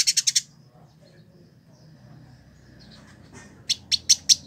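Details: A Village indigobird singing in captivity in Bandung, West Java, Indonesia, kept for a year and recorded as a master song: a quick burst of four sharp notes, a soft gap with faint twitters, then four spaced loud chips.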